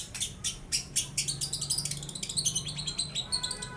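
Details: A young long-tailed shrike with a not-yet-black bill mimics lovebird and house sparrow: rapid, continuous run of shrill chattering chirps that speeds into a dense twittering sequence.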